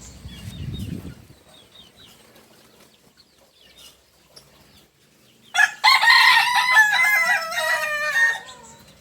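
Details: Kukuak Balenggek chicken from Solok, West Sumatra; after several quiet seconds with faint chirps and a low rumble, the rooster bursts into a loud, rich, multi-part crow lasting nearly three seconds.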